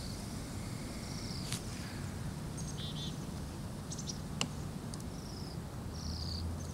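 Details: Bohemian waxwings in Anchorage at minus 8 degrees F, from a flock of about 200-300: short, separate high buzzy trills scattered through the recording, with a few sharp clicks and low background traffic rumble.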